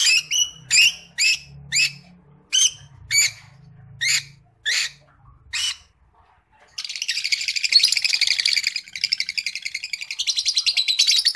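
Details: Creamino Rosy-faced Lovebird sings a run of sharp, raspy chirps spaced about half a second apart, then breaks into a long, fast, continuous buzzy chatter.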